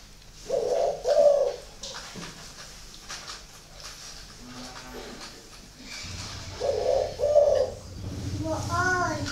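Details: Spotted dove from a bird farm in Ba Vì district, Hanoi, northern Vietnam, giving two bursts of low, rounded cooing phrases separated by a quieter stretch, with faint voices and room sounds around it.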